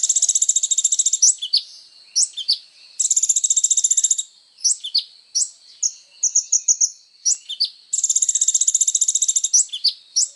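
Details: Sunbird (kolibri ninja) song offered as training material for songbirds: very high, rapid buzzy trills repeated in long bursts, broken by sharp rising and falling chip notes and short chattering phrases.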